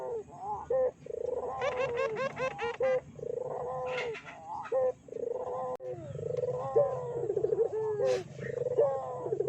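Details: Barbary doves cooing as a lure to excite other doves: continuous rolling, trilled coos from several birds overlap, with a burst of brighter, rapid stacked notes near the start.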